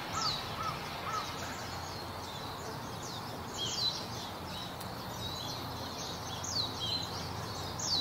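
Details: A female rose-ringed parakeet gives harsh, shrill screeches at irregular intervals over a steady background rumble, recorded 24 February 2024 in Japan among Kawazu cherry blossoms.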